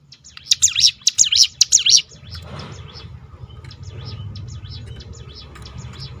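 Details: A hill prinia's rolling string of shrill, V-shaped notes, played to draw other birds into song, bursts out for about two seconds and then fades. Faint distant chirps and a steady low rumble follow.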